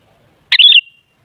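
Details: Single Sooty-headed bulbul phrase used as a lure for other bulbuls: a brief burst of rich, rolling whistled notes that tails off into a long thin whistle.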